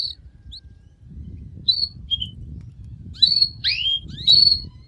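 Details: Canary with scattered short chirps building to a cluster of loud whistled and slurred notes, over continuous low rumbling background noise.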